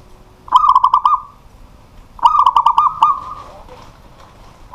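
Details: Local zebra dove, a pet songbird, singing energetically at night; two phrases about two seconds apart, each a rapid string of five or six short, pulsing coos ending in a drawn-out note, in a quiet setting.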